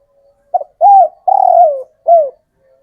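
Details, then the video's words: Male local spotted dove (tekukur), bird from the wild kept and cared for, calling to attract females and prompt other birds to join in: one coo phrase of four low hooting notes, a short note then two longer ones, the third drawn out and falling, ending with a falling coo. "Burung tekukur J4NTAN lokal manggung rapat spesialis untuk memanggil betina"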